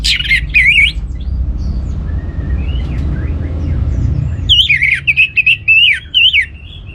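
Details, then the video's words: Orange-headed thrush song to encourage other birds to sing: loud warbled whistles open, soft slurred notes follow, then a lively stretch of quick wavering whistled phrases repeated at a brisk pace. "ANIS MERAH Cor Suara Penggoda Membuat Burung Kenceng Jadi Ngeplong Lanjut Teler"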